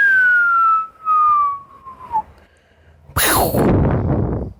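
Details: Pet female Amazon parrot giving a long clear whistle that slides slowly downward over about two seconds, followed by a harsh noisy burst.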